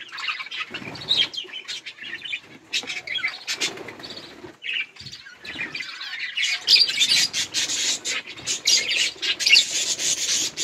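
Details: Budgerigars playing and eating produce fast, irregular chirps and clicks, building into a dense, scratchy, high chatter in the second half.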